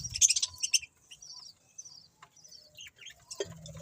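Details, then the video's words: Budgerigars give a loud burst of rapid high chirps, then scattered thin whistled notes and short warbles, ending with a sharp chirp and low rustling. "Cute Budgies Chirping Sounds"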